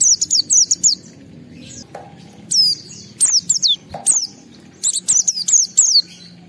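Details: Oriental white-eye, a caged bird singing in full emotion at home to provoke and test other white-eyes: bursts of very high, sharp descending whistled notes in quick clusters, with short pauses between phrases.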